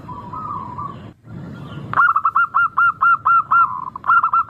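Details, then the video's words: Local zebra dove used as a lure to get other doves singing, with a sweet 'crystal' voice: one drawn-out soft coo, a brief pause, then a run of about ten quick, evenly pitched staccato coos over a low background hum. "Pancingan burung perkutut lokal Suara merdu kristal sangat ampuh bikin cepat bunyi"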